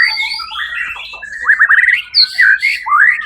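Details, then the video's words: White-rumped shama singing at a songbird competition on 1 October 2023, where it won first place: sliding whistled notes, quick trilled runs and sharp rising upslurs delivered in a continuous, varied stream. "murai batu predator juara 1 di ivent Suara Agung"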